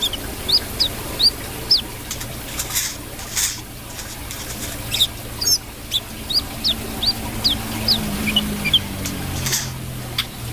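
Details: Brown-throated sunbird in energetic song: repeated thin, rising high notes in loose runs, broken by brief gaps, with clicking and a low droning hum underneath.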